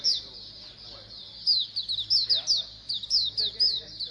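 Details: Oriental white-eye colony chorus, known locally as pleci koloni and played to get birds singing: dense high thin chirps and sliding twitters overlapping, with bursts of louder notes from about one and a half seconds on.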